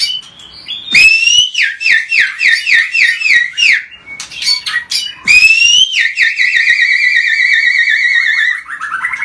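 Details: Agitated white-rumped shama singing non-stop to provoke other birds: loud, clear whistles rising quickly, repeated about four times a second in rhythmic bursts, then a sharp break and a long, wavering whistled trill.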